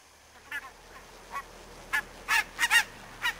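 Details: Barnacle geese in fog at Niittylahti, Savonlinna, on 2 October 2011: about nine short, sharp yelping honks in three and a half seconds, spaced irregularly and rising in loudness toward the end, over a quiet background.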